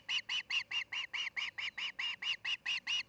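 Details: Osprey at a nest near Charlo, Montana, part of a nest-building pair: a steady series of sharp, high whistled chirps, about fourteen notes in three seconds, evenly spaced and slightly rising in intensity.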